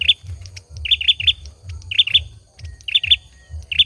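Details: Male olive-backed sunbird singing: short bursts of two or three high, sharp, bright chirps repeated at irregular intervals, with a low rumbling thump underneath throughout.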